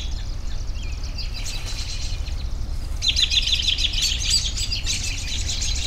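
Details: Several birds chirping together in a busy chorus, with a rapid run of high, evenly spaced ticking notes in the second half over a steady low background rumble.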